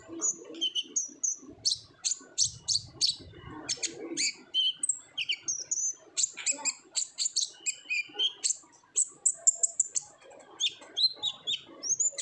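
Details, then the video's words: Lure recording of an olive-backed sunbird in lively ngobra song for untrained birds: long run of high, sharp chirps, buzzy trills and short whistled slurs, fairly even and continuous. "PANCINGAN KONIN GACOR NGOBRA , KONIN BAHAN PASTI AKAN RAJIN BUNYI"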